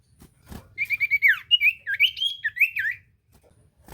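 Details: Common iora singing as a lure for silent ioras: a single knock, then a quick string of sliding, wavering whistled notes for about two seconds, ending in quiet.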